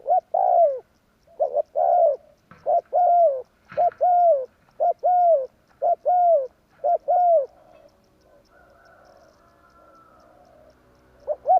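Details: Spotted dove call used as a lure for trapping birds, Javanese style: repeated cooing notes near 600 to 700, each phrase of short hoots ending in a longer downslurred coo, fairly steady rhythm, then a quiet stretch with faint background hum.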